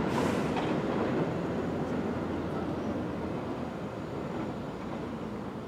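A dense, steady rumble of rolling traffic or a passing train fills the recording, with no animal voice standing out.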